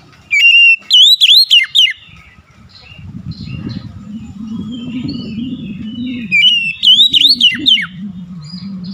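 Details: Oriental magpie-robin delivers two loud phrases of quick, swooping whistles. Between them a low humming drone and faint soft warbles are heard.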